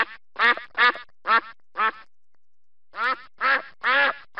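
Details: Loud, raspy duck quacks in two bursts: five evenly spaced quacks, a one-second pause, then four more, each quack broad and nasal.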